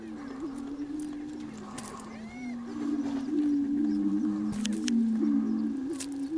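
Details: Low hollow hooting from several prairie chickens strutting on a lek in spring to draw females, filmed with the car as a blind; layered droning notes rise and dip, growing louder midway, with a brief higher whistled squeal.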